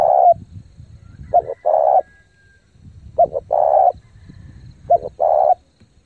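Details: Spotted dove kept as a lure bird, cooing fast and intensely to rouse decoy birds: low hollow phrases of two short clipped notes and a drawn-out coo, repeated about every 1.7 seconds over faint low rumbling.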